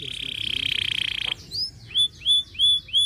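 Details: Kenari pocong canary in losdol song: a level, buzzy, fast-pulsed trill lasting over a second, followed by four separate whistled notes that rise then dip, spaced about a third of a second apart.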